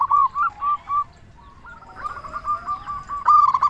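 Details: Zebra dove song from a local bird, played to provoke answers: three separate soft coos, then a long quieter trilling run of rapid notes ending in a louder burst.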